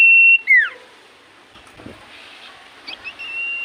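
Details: Common iora in full voice, said to draw replies from other ioras: a short level whistle dropping into a swooping slur, then low background hiss and a faint renewed whistle near the end.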